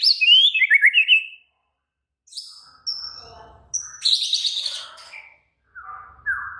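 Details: White-rumped shama in an excited, agitated singing bout: high twittering notes, short pauses, then dense bursts of bright, scratchy high phrases and a few lower whistles.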